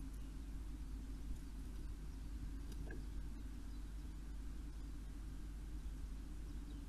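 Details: A steady low rumble like distant traffic or engine noise fills the recording, with no clear animal calls.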